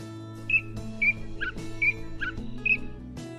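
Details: Mimicking catbird repeats short level whistles alternating with lower buzzy notes, roughly every half second, against background music.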